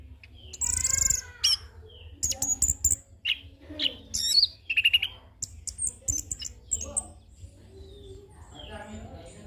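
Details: Young orange-headed thrush, a training and lure bird, rolling out a busy medley of high whistles, clicks and scratchy mimic-like phrases in quick succession over a constant low background hum.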